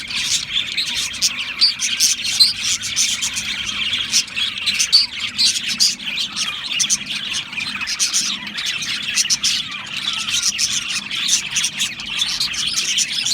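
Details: Australian parrots chirping together, a dense, continuous chatter of quick high twitters and chirps overlapping without pause, with sharp clicks scattered throughout.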